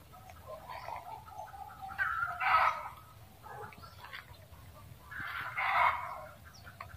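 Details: Junglefowl cackle in two harsh, rasping bouts about three seconds apart, each building from lower clucks into a louder, noisy squawk, with a steady low rumble beneath.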